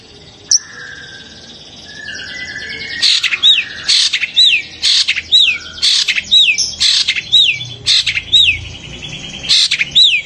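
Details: Long-tailed shrike, whose cries are said to rouse other shrikes into excitement and song; after a quiet start, a steady run of harsh high bursts, each followed by a quick upswept whistled slur, repeated about twice a second.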